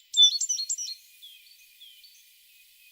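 A tit gives a quick burst of high, bright chirping notes lasting under a second, followed by a few faint, thin, drawn-out notes.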